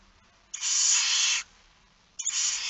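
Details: At a barn owl nest during night feeding, Friesland, Netherlands, 2019; one loud steady hiss nearly a second long, then a second hiss beginning.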